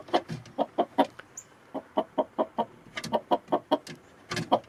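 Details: Chickens out in the snow, hens pecking while roosters strut: rapid bursts of sharp, short clucks in uneven runs, a few softer notes between, with faint background hiss.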